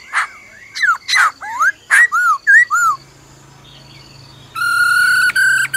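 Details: Black-throated laughingthrush delivering forest-style song with the female's rolling trill. Sharp clicks lead into downward-curving whistled notes repeated about twice a second, then a quiet gap, then a long, buzzy, strongly harmonic burst.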